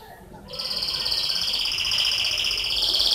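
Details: Canary singing a loud whistling trill, fast repeated high notes held as a steady rolling tour after a short quiet start.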